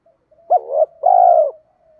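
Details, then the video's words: Single phrase of spotted dove cooing, used to push captive doves to call: a brief wavering note sliding into a sustained smooth hoot, soft faint tones before and after. "giọng chim cu gáy thúc gù dồn ép bổi lười gáy ức chế phải gáy theo"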